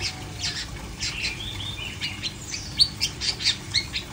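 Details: Long-tailed shrike singing a busy run of short harsh chirps and scratchy notes mixed with thin whistled slurs, sharper accented notes coming quickly in the last second and a half, over faint steady background hum.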